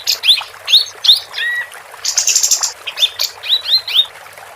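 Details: Female capped white-eye, singing briskly as tutor material for contest songbirds: repeated high upslurred chirps, one long level whistle, then a dry buzzy trill and further quick rising notes.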